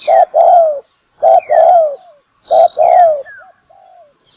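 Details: Spotted dove call used as a trapping lure, in the local 'mồi kích bổi đá lụp' style: loud, close cooing phrases, each a short low coo followed by a longer falling coo, repeated about every 1.2 seconds, ending in softer trailing coos.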